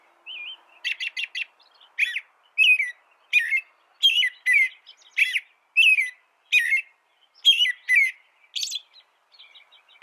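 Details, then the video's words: An American robin sings a steady run of short, clear caroling phrases, about one a second, laced with thin high squeaky notes. "Suara burung american robin"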